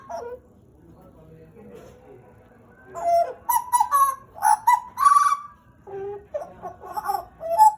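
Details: After near-silence, a caged pied butcherbird from Papua, Indonesia, a pet of about two years, breaks into rich whistled and gurgled phrases with clicking notes.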